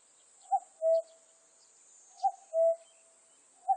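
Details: Repeated cuck-oo of a Common cuckoo recorded in 2020: two full calls roughly 1.7 seconds apart and the start of a third. Each has a short high note and a longer low note, over a steady high hiss.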